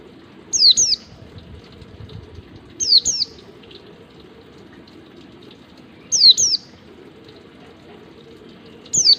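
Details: White-eye giving the ngalas wild-style song used to train captive birds: sharp, very high descending whistle pairs, repeated about every three seconds with quiet gaps, over faint low background noise.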